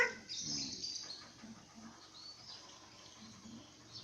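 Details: A talking common hill myna, said to copy the call to prayer, coughs and calls to its parents, opens with a loud harsh high screech, then quieter scattered squeaks and faint whistles.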